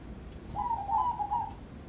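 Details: A single rolling, stuttering coo phrase about one second long from a crossbred zebra dove being prepared for singing contests, against low broadband noise.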